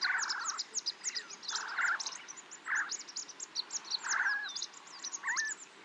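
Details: Snow partridge calling near Tungnath Temple, Chopta, Uttarakhand, India, at 3700 metres altitude: harsh, rasping bursts repeated every second or two, some ending in a twisting squeal, over a continuous high twittering chorus.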